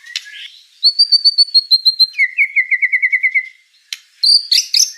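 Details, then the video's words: Murai batu, or white-rumped shama, singing gacor: a short squeaky opening, then a long run of rapid high whistled pulses that drops to a lower repeated trill, a sharp click and closing ringing whistles. "Suara kicau burung murai batu gacor"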